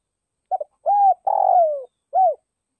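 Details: Decoy spotted dove calling to draw in wild birds: a brief double note, then three deep coos, the third longest and sliding downward, the last short and arched; no other sounds.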